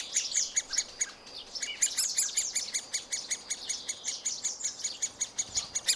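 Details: Young middle spotted woodpeckers being fed by both parents at a tree-cavity nest, filmed with a Panasonic FZ2000 camera; rapid, harsh, chattering notes repeated almost three times a second, overlapping into a dense, high-pitched chorus.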